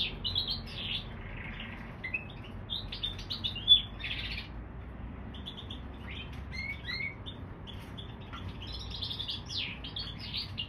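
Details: Hybrid canary x bullfinch singing more sparsely: scattered chirps, a buzzy trill, short whistled slurs, and a final burst of quick notes, separated by gaps over a low hum.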